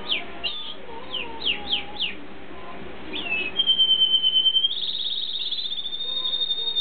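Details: Canary singing a love song. Quick downward-swept chirps come in a series, then a long steady whistle and a rapid buzzy trill held at one high pitch.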